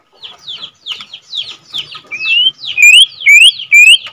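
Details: White-rumped shama of Borneo stock, second captive generation, singing to stir up other shamas: soft hoarse phrases repeated about twice a second, turning into loud clear rising whistles.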